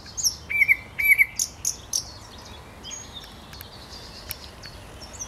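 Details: Song of a thrush nightingale recorded on 8 May 2022: a short burst of sharp high clicks and level whistled notes that stops abruptly, followed by faint distant chirps from other birds.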